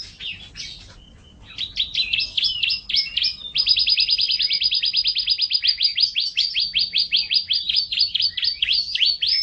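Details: Canary song from a songbird training recording: a few scratchy opening notes, a brief pause, then a long, rapid, steady trill of sharp high chirps repeated several times a second, swelling louder and continuing to the end.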